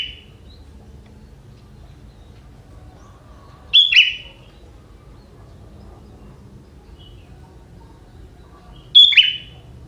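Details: Young wild sooty-headed bulbul carrying prinia-like notes, giving two short, explosive whistled notes about five seconds apart, each sharp and slightly downslurred, with quiet pauses between.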